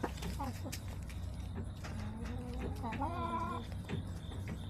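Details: Backyard chickens on September 21, 2024: low murmuring clucks, then a rising, drawn-out harmonic call near the third second, all over a constant low mechanical hum.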